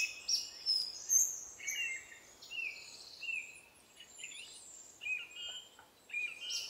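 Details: Scaly-breasted Hummingbird (Cuvier's hummingbird) in Costa Rica giving thin, very high squeaky chips and short twittered phrases at an uneven pace, over a soft background hiss.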